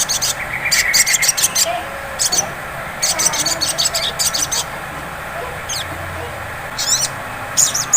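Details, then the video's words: Lure song of the sogon sunbird in ngleper style: a thin whistle followed by long strings of very high, fast stuttering notes in groups, then sharp down-slurred flicks, over steady hum. "Pancingan SOGON ngleper cocok untuk memancing bunyi SOGON ngriwik"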